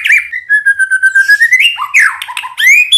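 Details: White-rumped shama song used as a lure to provoke other shamas into singing: long sliding whistles that wander and rise, then bursts of sharp rising notes and buzzy chirps, loud and continuous.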